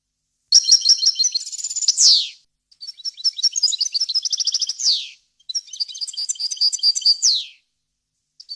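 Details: Clean goldfinch song for tutoring fledglings: three separate twittering phrases of rapid liquid notes and trills, each finishing in a rasping descending buzz, with quiet gaps between.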